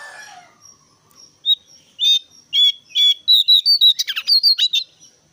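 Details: Brown-cheeked bulbul calling persistently, used as a lure to prompt other birds to sing, giving a lively run of short, bright chirps and slurred whistles that quicken and grow more insistent.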